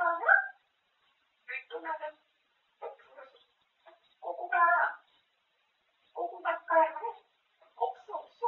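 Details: Talking grey parrot chattering about food in Korean indoors; rapid run of about seven speech-like phrases, syllables tumbling quickly with brief gaps, voice-like and mid-pitched throughout.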